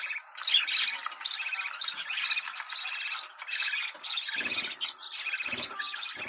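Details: Budgerigar mating sound played to bring birds into breeding condition: lively squeaky warbling and chirps with short pauses, and a few loud clattering knocks in the latter half.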